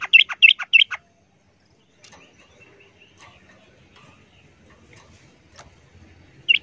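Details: Yellow-vented bulbul, a captive bird pitted against a wild one, gives a quick burst of four bubbly, liquid notes in the opening second, then near silence with faint background chatter and one more note at the end.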